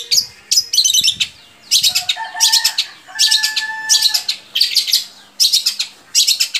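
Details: Long-tailed shrike singing, meant to get other shrikes singing: harsh, rasping bursts of high notes in clumps roughly every second, with a few thin, steady whistles between them.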